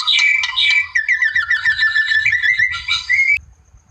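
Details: A wild white-rumped shama sings to provoke a rival, giving bright whistles and a fast rattling trill, closing on a rising whistled note before falling silent.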